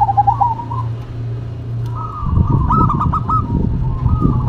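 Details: Zebra dove song in a duet between a local bird and a cemani bird: wavering cooing phrases near the start, then a longer run of trilled, stuttering coos with a low humming background.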